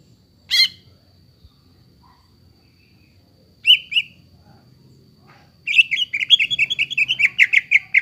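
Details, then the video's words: Greater green leafbird song used to coax a quiet bird into singing: a single sharp note, a brief pair of whistles after a pause, then a lively tumbling burst of chirps and warbled notes. "PANCINGAN BURUNG CUCAK IJO YANG MALES BUNYI,MACET BUNYI AGAR GACOR KEMBALI"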